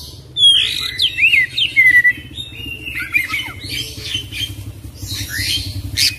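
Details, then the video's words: Kacer, the Oriental magpie-robin, delivering a full isian, ngerol song: quick zigzag whistles and harsh squawky notes, then busier scratchy phrases, over a low rumbling background hum. "Kacer Full Isian ngerol gacor dorrr"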